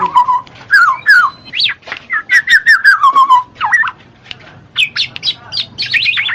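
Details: Black-naped oriole singing, meant to coax reluctant birds into song: low fluty whistles and descending slurs, a quick series of mellow repeated notes, then higher, sharper twisting phrases.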